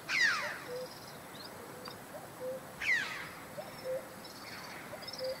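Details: One of a pair of Caspian snowcocks feeding on a mountain slope in Vayots Dzor, Armenia, gives two loud, harsh calls with a falling whistle, about three seconds apart, among faint higher whistles and soft low notes.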